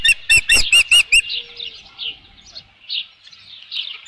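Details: At the nest with a headless fish on 27 June 2018, an osprey's loud rapid clipped notes open the sequence, followed by softer, spaced high whistled chirps.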